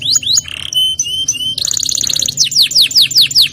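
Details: Canary song in the 'gacor ngerol nembak' style: short rising whistles and a level whistled note, then a rapid bubbling roll followed by a string of downward-sweeping whistled notes, with a faint low hum.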